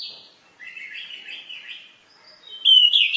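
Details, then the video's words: Orange-headed thrush varied 'masteran' song: a soft, wavering warbled passage, then a short silence and a louder, sharp whistled phrase at the close. "Berbagai kicau burung anis masteran."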